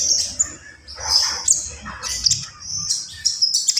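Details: Javan pied starling giving a short burst of song, shrill squeaky whistles mixed with harsh rasping notes, against a low steady hum.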